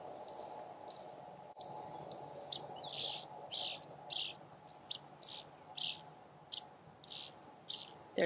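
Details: Indigo Bunting nestlings in a knee-high nest in Vermont woods give high, thin, hissy begging bursts about twice a second as they are fed, over a steady low hum.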